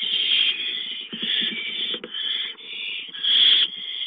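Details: Owls in a nest with delivered prey: continuous rasping hisses rising and falling in strength over four seconds, with a loud surge near the end.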